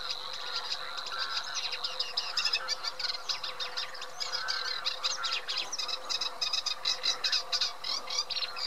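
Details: Eurasian reed warbler chattering steadily, repetitive rasping and churring notes strung together rapidly, growing more emphatic toward the end, with a persistent thin high tone behind.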